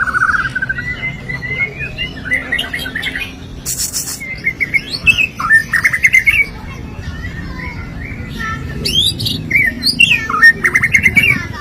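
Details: Fairly distant-sounding murai batu (white-rumped shama) singing a loose, varied run of short twittering and slurred whistled notes with pauses, including a few brief noisy bursts.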